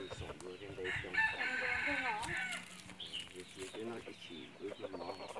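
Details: Red junglefowl decoy bird used for hunting, crowing: one drawn-out, strained crow rises and holds near the middle, framed by shorter clucking notes and a noisy, cluttered background.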